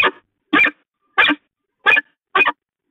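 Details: Peregrine falcons at the Catharinakerk, calling during pair bonding on 19 October 2020: loud, harsh, grating notes, one roughly every 0.6 seconds, with silence between.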